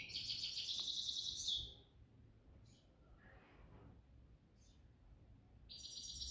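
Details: Evening song of a grey-headed goldfinch: a rapid, high, tinkling twitter lasting over a second, then a quiet gap with faint soft notes before another bright burst begins at the end.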